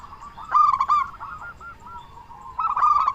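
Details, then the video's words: Zebra dove, a local bird with a strong voice, used to stimulate other doves to sing: a loud burst of quick throaty coos, a softer trailing phrase, then another loud burst at the end. "Perkutut Lokal Gacor Suara Besar Pancingan Burung Perkutut Agar Cepat Bunyi"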